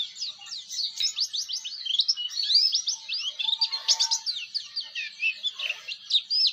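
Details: Master song of a Bustomi Oriental white-eye, a sweet ngeriwik performance for teaching other white-eyes: continuous very high, fast chirping in tight bursts of slurred notes, a brief lower whistle near the middle, otherwise clean.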